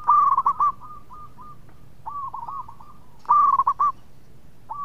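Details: Zebra dove of local stock, singing freely in a melodious voice and said to lure others into song. Two loud chopped coo phrases frame fainter rolling phrases of evenly spaced notes.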